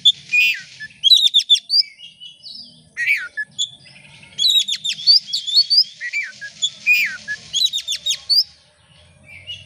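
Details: Oriental magpie-robin (kacer) in full song as a lure to set other birds singing: dense bursts of sharp, rapid whistled slurs and chirps rising and falling, in phrases of about a second, with brief pauses between.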